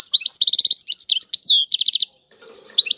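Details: European goldfinch singing in the Tiwawati style: fast liquid twittering with runs of evenly repeated high pulsed notes, a slurred falling buzzy note, a brief silence, then a few more sharp notes over a faint low hum.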